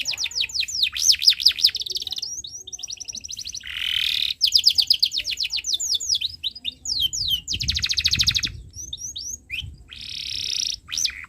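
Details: Canary tutor song for young birds to learn from: long chattering runs of rapid high chirps, fast repeated downsweeping notes and buzzy trills, with brief pauses between phrases and faint low background hum.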